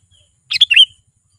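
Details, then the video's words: Sooty-headed bulbul song used to lure wild bulbuls closer: one short, clean burst of three or four bright, slurred whistled notes, dropping at the end, with no other sounds around it. "SUARA BURUNG KUTILANG GACOR"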